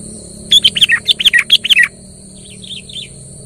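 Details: Kutilang in lively gacor song, used to provoke a quiet kutilang: one burst of eight or nine fast tumbling chirps, followed by faint distant echoing notes over low background hum and a steady high whine.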